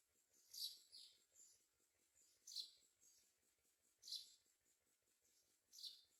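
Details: Mynas at a nest, adults finding food such as crickets to feed their babies. Short, sharp high chirps repeat roughly every two seconds, four in all, against a quiet background.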